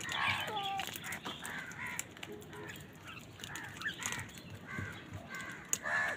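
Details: Many crows calling on a winter morning while fighting wild birds for food: harsh, nasal caws with ringing overtones, several birds overlapping in quick irregular bursts, over a background of clicks and rustling.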